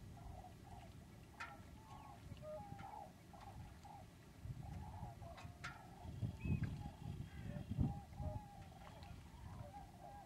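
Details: Common cranes at Lac du Der in February 2011, during a large early spring migration wave from Spain; many overlapping trumpeting calls from a flock, with low rumbling noise underneath.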